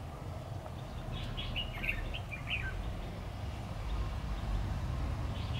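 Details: Decoy red-whiskered bulbul in competitive song while trapping, October 2019; one clear burst of rapid, slurred whistled notes in the middle, then only low rumbling background noise.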